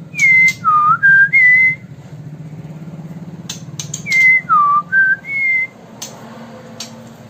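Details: White-rumped shama of genuine Sumatran stock, in Bengkulu city, gives a short phrase of four clear whistled notes: high, dipping low, then climbing back up. The phrase repeats after a pause over a steady idling engine rumble with occasional clicks.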